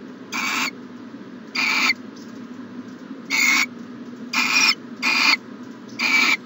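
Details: Morning at a nest box in January 2020: an owl repeats rough, breathy screeches, six bursts in about six seconds, coming closer together toward the end. A low steady hum runs underneath.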